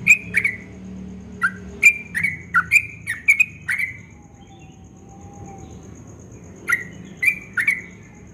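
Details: Yellow-vented bulbul singing at dawn in the fast 'ropel' style, described as very melodious: short bubbly, liquid two-part notes repeated in quick bursts, then a pause and another burst, over a low steady background hum.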